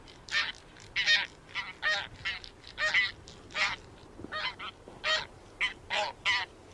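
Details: Somewhat distant taiga bean goose honks, a steady uneven series of nasal, harmonic notes over a faint background hiss, several birds seemingly calling together.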